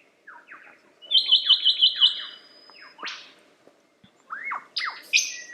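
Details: Lyrebird song, a varied medley of downslurred whistles, a rapid trilled rattle, a sharp upward sweep, and high bright whistled notes near the end, delivered in quick succession.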